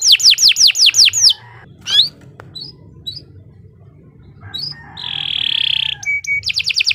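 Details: Canary song in short bursts: a fast run of descending whistled sweeps, then scattered chips and a rising note, a buzzy sustained trill, and a quick repeated phrase at the end, with gaps of quiet between.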